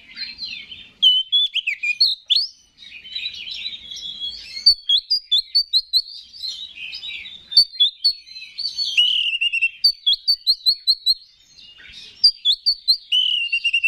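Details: Kacer, the Oriental magpie-robin, singing 'gacor' style as a provoking lure to raise other birds' emotion. A long, nearly continuous run of high whistled phrases, quick repeated chip series and slurred trills, with short gaps between bursts.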